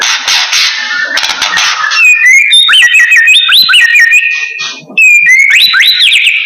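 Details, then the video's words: White-rumped shama lure song packed with imitated phrases: a buzzy opening followed by a fast series of bouncing, looping whistles, each rising then dropping, briefly fading before another looping burst. "Murai Blorok Gacor Bongkar isian Pancingan Burung Murai Batu Bahan"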